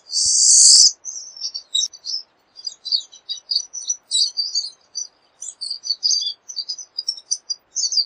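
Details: Opening with a loud harsh buzzy note lasting nearly a second, a pine siskin then runs into a long string of rapid high twitters and chirps, packed closely together.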